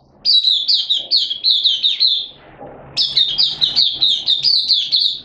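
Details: Singing Malaysian Oriental white-eye in 'buka sing' song display on 25 February 2023: two long runs of rapid, high, twittering notes, each lasting over two seconds, separated by a short lull with low hum.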